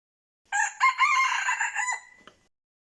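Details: Red junglefowl decoy cock, used in trapping, crows: a short first syllable, then a long buzzy, slightly wavering note of about 1.5 seconds. A small click follows once the call ends.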